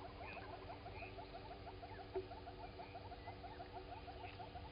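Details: Southern red-billed hornbill walking around at Gowrie dam waterhole, Djuma Game Reserve, Sabi Sand, South Africa, 07:53 on 16 September 2020, recorded by a live camera: steady series of short, low clucking notes throughout, over constant electrical hum and background hiss.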